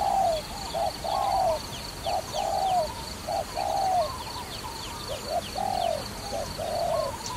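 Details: Trapping dove cooing steadily. Brief clipped coos are followed by drawn-out, downward-curving notes, repeated about every second. Soft high chirping from small birds is in the background.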